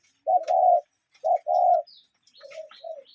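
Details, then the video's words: A cuckoo in nature gives two clear low phrases, each a short hoot followed by a longer, sustained one. Fainter high chirps from another bird follow near the end. "Relaxing Cuckoo Bird Sound in Nature"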